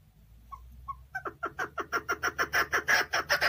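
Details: Chukar partridge in a cage in Tajikistan, 2020: two soft single notes, then an accelerating, swelling series of throaty chuk calls growing louder toward the end over a low hum.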